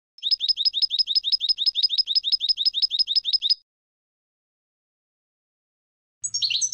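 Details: Goldfinch song: a fast, even series of bright, high chirped notes, about five per second for three and a half seconds, then a silent pause before another burst of twittering begins.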